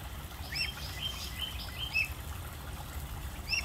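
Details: Baby African geese, goslings, giving thin, high whistled peeps that arch upward, several in quick bursts in the first two seconds, then a pause and two more near the end, over a steady low rumble.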